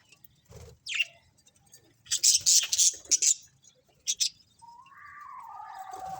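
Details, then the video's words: Budgerigars from a colony give a run of loud, high rapid chirps in the middle, followed by a steady, wavering lower whistled tone to the end. "Cute Colourful Budgies Chirping Sounds | Budgies Colony"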